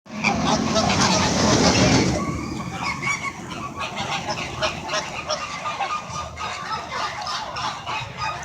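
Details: A noisy flamingo flock squawking to one another: a loud, dense burst of harsh honks for two seconds, then a steady overlapping chatter of nasal calls.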